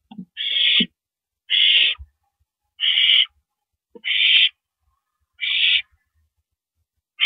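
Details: Owl calling at night, 1:27 AM on April 9, 2012, while downing a rabbit; steady series of six coarse, hissing screeches roughly every 1.2 seconds, with a few soft taps.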